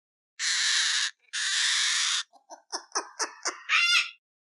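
A cockatoo gives two long, harsh, grating screeches, then a run of shorter squawking notes.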